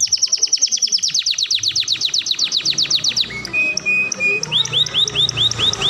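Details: Canary song for tutoring young birds, sweet and flowing: a fast series of descending sweeping notes about three seconds long, followed by short level whistles and quick rising chirps.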